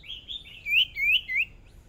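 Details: Hwamei serving as a fresh decoy bird in its first practice singing contest, singing three loud rising whistled phrases about a third of a second apart, over soft background noise.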